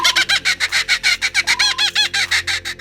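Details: A kookaburra's territorial laugh, also used to communicate with its family group, heard mostly morning and evening: harsh, chuckling notes rattled off about six times a second in a steady, raucous run, with faint music underneath.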